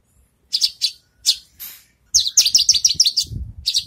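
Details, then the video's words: A Javan bush lark in training after moulting: a few separate high chirps, then a fast stuttering run of bright notes, with a low rumbling noise near the end. "branjangan selesai mabung latih bongkar lagu"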